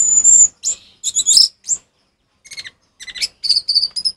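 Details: Orange-headed thrush in full song, kept as a master recording for training captive birds that have stopped singing: a high whistled opening note, then varied chirps, trills and rapid twittered phrases in short bursts with brief pauses.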